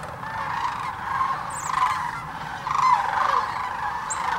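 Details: Thousands of migrating sandhill cranes at Hiwassee Wildlife Refuge, Birchwood, Tennessee, recorded on a GoPro Hero 9 or Canon Powershot: a dense rolling chorus of overlapping rattling calls that swells and fades in waves, with a few higher notes above.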